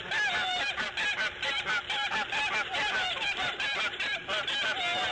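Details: A female bald eagle calls at the nest as she lays her fifth egg on the morning of March 1, 2014. The chatter is loud and continuous, made of rapid squealing, sharply bent notes repeated many times a second.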